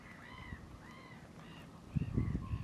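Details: Common mergansers courting on Fyrisån in early spring, April 2 2022; three or four clear, downward-curving nasal notes, then a louder low thumping and rustle near the end.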